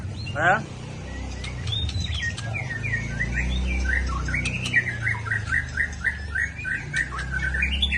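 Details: Rough 'trek kasar' song of an Aceh white-rumped shama: an opening descending rattle, then a steady chain of short whistled notes and chatters, over low rumbling background noise.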